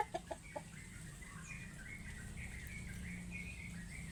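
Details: Plump chickens give a quick run of short, low clucks in the first half second, followed by faint, high thin chirps repeating over a steady low rumbling background.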